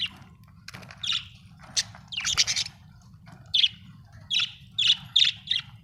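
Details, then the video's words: A budgerigar calls in scattered bursts: squawky, buzzy chirps early on, then a tighter series of five sharp, high chirps near the end, with brief quiet gaps between. "Budgie chirping sound"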